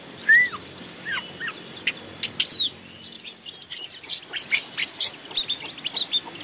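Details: Masteran decoy of a Long-tailed shrike in the forest: sweet rising-and-falling whistles open, followed by a jumble of scratchy high chirps and short repeated notes, irregular in pace.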